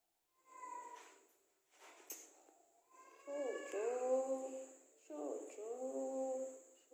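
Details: Pet talking parrot on its first meeting with someone, producing a string of voice-like syllables with gliding, harmonic tones, some swooping down then levelling off, over a constant high-pitched hiss.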